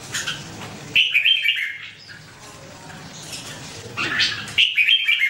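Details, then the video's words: Singing red-whiskered bulbul giving a few clear, bubbling three-note whistled phrases, loud and rich, separated by short quiet spells with soft background chatter. "The Sound Of The Birds Singing Wonderful: Birds Red-whiskered bulbul"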